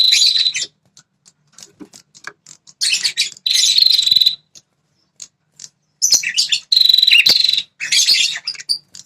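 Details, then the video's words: A prinia gives fast, buzzy high trills in several bursts with sharp isolated ticks between them. The call is meant to make territorial wild male prinias respond aggressively. "BIKIN PRENJAK LIAR NGAMUK ‼️ Suara Burung PRENJAK Kepala Merah."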